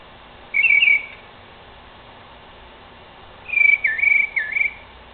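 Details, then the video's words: Night-time Northern mockingbird perched in a tree: one short rattly warble, a pause, then a longer twisting phrase of slurred whistles and dips. "Mockingbird Makes Noises In A Tree"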